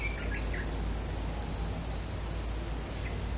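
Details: Cream-vented bulbul song used as a lure, heard as a few short slurred whistled notes in quick succession early on, faint over steady low hum and background insect noise.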